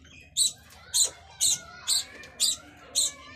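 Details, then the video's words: Budgerigar, locally called Australian bajri parrot, giving six short, bright, high chirps spaced evenly about every half second over faint background hiss. "Australian bajri parrot|| Australian parrot voice"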